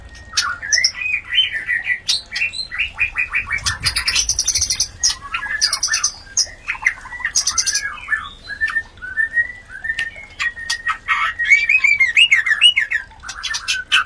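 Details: White-rumped shama mating call aimed at stimulating other shamas to breed: long, varied sequence of whistles, chatters and harsh noisy bursts, with rapid rippling trills toward the end.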